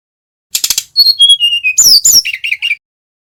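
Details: Bali male brown-chested jungle flycatcher giving a short lure phrase: quick rattled clicks, then clear descending whistles, a harsh buzzy burst and three repeated mid-pitched whistled notes.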